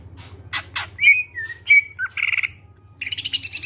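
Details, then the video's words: Clear-voiced greater green leafbird singing to prompt other birds to sing: harsh rasping bursts, then long level whistles and a buzzy trill, with a faint low hum behind. "Cucak ijo suara jernih, pancingan biar cepat gacor"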